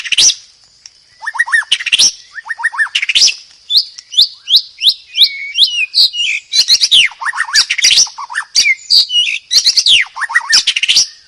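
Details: Long continuous White-rumped shama song: series of quick upward and downward whistled sweeps, repeated descending triplets and harsh clicks, steadily rich and loud throughout.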